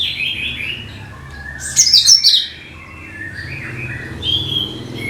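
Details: Lure song of the cucak kinoi bulbul, used to attract all kinds of birds: warbled notes at the start, a loud rapid twittering burst in the middle, then softer sliding whistles and chirps.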